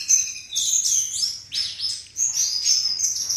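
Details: Melodious flycatcher song in short phrases: sliding high whistles and quick chirps, one sharp downward sweep in the middle, with a short pause before a final thin whistled trill.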